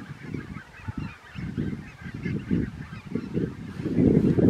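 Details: A flock of Red-breasted geese in Romania in December 2022 call together in a dense chorus of short honking and yelping notes, several each second, overlapping from many birds.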